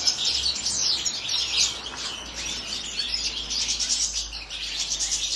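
A dense, continuous chorus of high, tinkling twitters and liquid chirps from several European goldfinches, overlapping without pause.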